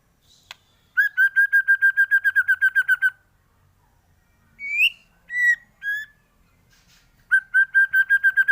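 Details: White-rumped shama singing energetically with varied filler phrases, used as a master recording to train other birds to sing: a fast run of loud, evenly repeated whistled notes, then scattered sharp rising whistles, then another quick repeated series, in a quiet background.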